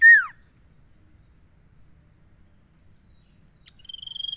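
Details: Common iora: a loud whistle sweeping steeply downward, then a pause of about three seconds, then a new high pulsed trill beginning and growing louder. A constant faint high whine continues throughout.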